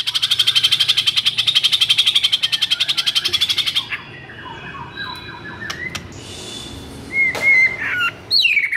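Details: Agitated, frequently singing white-rumped shama, used as a stimulus to make silent shamas sing: a fast, steady, high buzzing rattle of rapid repeated notes for about four seconds, then scattered clear whistles and sharp, rising notes.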